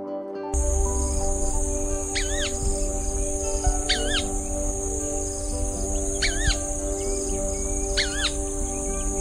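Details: White-browed Crake (Porzana cinerea) calling: four brief, sharply wavering nasal notes spaced roughly two seconds apart, over a constant tonal hum and soft background music.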